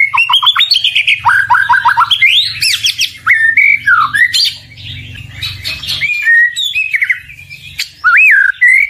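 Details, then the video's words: Energetic murai batu song with rapid series of descending notes, high sliding whistles and scratchy squeaks, over a steady low background hum. "MURAI LAWAN PASTI IKUT EMOSI DAN LANGSUNG NYAUT"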